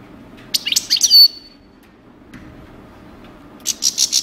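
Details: Coupleur-style song of a European goldfinch: a fast cluster of sharp, high twittering notes ending in a drawn-out whistle, a pause, then another quick run of bright chirps, with a soft hum behind.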